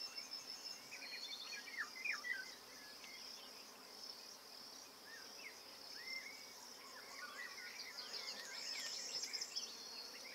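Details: At a nest site watched from a hide in Bulgaria in June 2019, a Eurasian golden oriole gives clustered fluty, swooping whistles, denser early and late, beneath a constant shrill chorus of insects.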